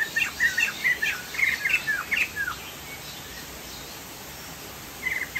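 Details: Sumatran poksay jambul, a Chinese hwamei, in chatty gacor song: two seconds of rapid, varied whistled notes, a quiet gap, then a short new phrase, with steady background hiss and insect buzzing.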